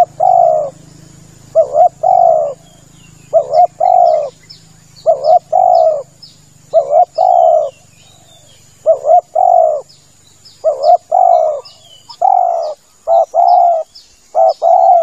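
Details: Male spotted dove calling, a lure for dove hunting: about eight repeated phrases of a short wavering coo and a longer soft hoot, steady and mellow; small birds chirp high and faint, low hum early on.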